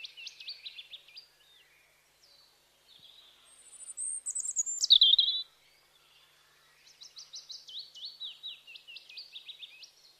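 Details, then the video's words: Bird chirping in rapid series of sharp, high tweets, then a loud piercing whistle dropping into a buzzy trill, before more quick repeated chirps. "Birds Chirping Sounds"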